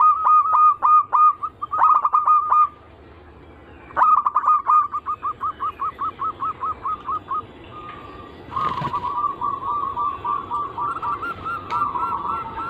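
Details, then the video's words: Zebra dove song (anggungan), played as a lure: loud clipped cooing bursts, then a long steady series of quick repeated coos and a rolling, trilled phrase toward the end. "Pancingan burung perkutut paling ampuh penarik Bunyi semua jenis burung perkutut Anggungan"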